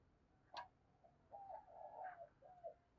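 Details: Decoy spotted dove calling to draw in wild doves, heard faintly at a distance: a sharp click, then a run of soft, low coo notes, rising and falling, over a steady background hiss.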